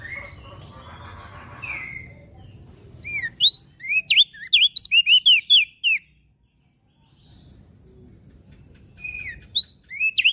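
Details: Mountain leaf warbler song used for training caged birds: a quick run of high, sharp whistled notes, some rising and some falling, after a low rumble, then a pause and a few more notes near the end.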